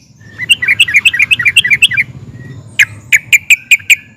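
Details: Excited sooty-headed bulbul whose nguplik and ngerol singing draws replies from other bulbuls: a bubbly run of varied warbled notes rising and falling, then about seven sharp, evenly spaced ringing notes.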